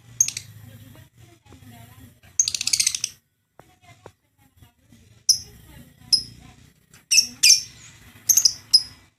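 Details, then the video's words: Lovebird giving loud, harsh, high-pitched shrieks in short bursts and a long rattling "ngekek" chatter, with a low hum in the room behind. "suaranya ngekek abis"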